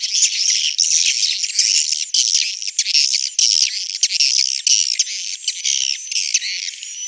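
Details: Swiftlets in a three-storey swiftlet house chirp and twitter without pause: dense, high, buzzy calls overlap in a steady chatter with no clear gaps.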